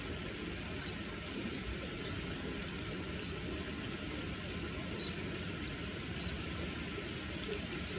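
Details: Male common kingfishers threatening each other in a territorial dispute, chasing in an aerial fight with hovering and flying backwards. Thin, piercing high notes in irregular bursts, often two or three together, over a steady high drone and low rumbling background noise.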